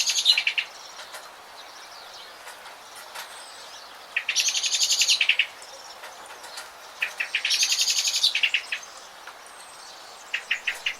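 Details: Bird song: fast series of sharp notes alongside dense buzzy chattering bursts, recurring every three seconds or so against a constant noisy background.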